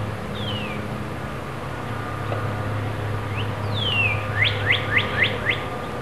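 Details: Robins at fledging time, young birds leaving the nest: a thin, falling whistle, a pause, then a quick run of rising, upswept chirps about four per second, over steady low hum and faint background noise.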